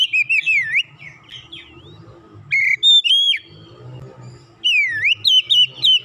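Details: Kacer, the Oriental magpie-robin, roused by one lure sound into lively gacor singing after going quiet. Bright whistled notes sweep downward and rebound in repeated bursts, with a faint low rumble beneath.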